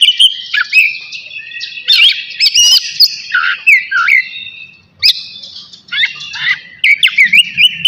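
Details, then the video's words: Oriental magpie-robin, navy variety, singing before a bath: separated bursts of loud twisting whistles and harsher rasping notes, with a quiet gap around five seconds before the phrases resume. "KACER NAVY GACOR SIAP MANDI"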